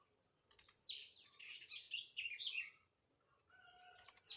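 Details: Blue-black grassquit, a leaping bird, singing: a run of buzzy, sharply falling high notes tumbling over about two seconds, a short pause, then another high, buzzy downward sweep, with thin whistled tones behind.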